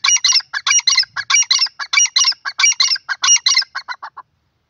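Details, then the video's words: Grey francolin, known locally as dakhni teetar, giving a loud, harsh, rhythmic call: paired scratchy notes repeated rapidly for about four seconds, with slightly shorter phrases toward the end. No other sounds intrude. "gray francolin teetar ki awaz dakhni teetar voice"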